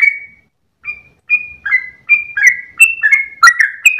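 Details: Dawn song of a Sooty-headed bulbul wagging its tail, in the long gacor ropel manner. It begins with spaced single whistles that speed up into a dense, tumbling sequence of bright slurred notes.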